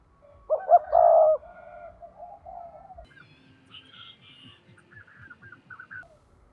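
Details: Spotted dove decoy's 'thúc' lure call used in trapping: one phrase of two short notes and a long rough coo with a softer trailing coo, followed by faint higher chirps from other birds.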